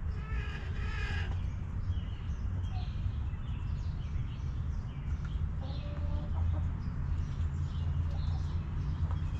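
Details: Backyard chickens in a coop: an opening harmonic, squawk-like call lasting about a second, then scattered quiet clucks and chirps under a loud, steady low-pitched drone.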